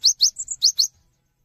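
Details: Cinereous tit singing to draw other tits into song: a brief set of five clear, high notes, two rising strokes, two level whistles, then two more rising strokes, ending in quiet.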